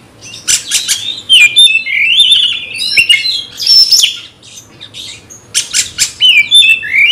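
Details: A kacer (Oriental magpie-robin) in a cage, enraged by a rival, sings a mix of harsh, noisy squawks and sweet sliding whistles in uneven loud bursts, with a short quieter gap midway.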